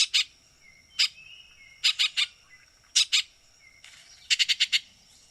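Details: Baltimore oriole chattering in gravelly bursts, pairs and triplets of rough notes, ending in a fast rattle of five; brief whistled tones sound between the bursts.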